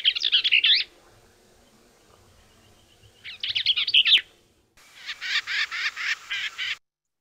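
Bell's Vireo sings three quick, scratchy, jumbled warbled phrases. Each phrase is high-pitched, and the song sounds like a question followed by an answer.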